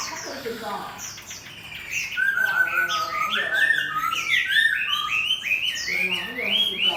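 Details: Caged Chinese hwamei paired with a fighting bird in competition, tail spread: softer, scratchy notes at first, then a loud rising series of repeated whistled slurs stepping upward, about three phrases a second.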